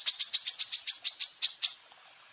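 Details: Greater green leafbird in a full-burst tutor recording for training other birds: a rapid run of about eleven high, sharp notes, each sliding down, delivered evenly before fading out.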